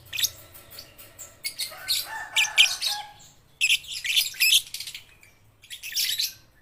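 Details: Juvenile lovebirds, baby and under five months, in noisy, uneven twitters and shrill squeaks separated by short gaps, a dense scratchy burst in the middle, and a last short flurry.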